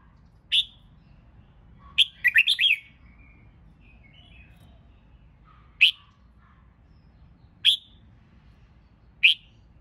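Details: Red-whiskered bulbul, kept for competition singing and used to rouse a flagging bird into fighting song: sharp, high chirped notes spaced a few seconds apart, with one quick rattling cluster of four notes, faint softer bird notes between.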